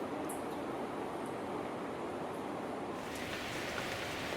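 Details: A constant outdoor rush like rain or flowing water fills the recording, with no clear animal voice.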